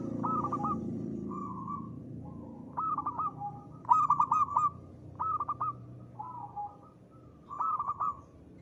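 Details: Repeated ngristal phrases from a local zebra dove: each a quick stuttering cluster of bright coos followed by a softer purr, recurring about every one to two seconds, with low background noise.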